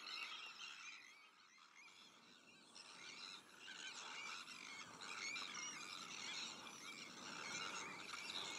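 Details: Breeding Sandwich terns in a mixed colony with black-headed gulls, arctic terns and common terns; quieter at first, then a rapid, dense stream of scratchy, squealing calls builds and stays loud.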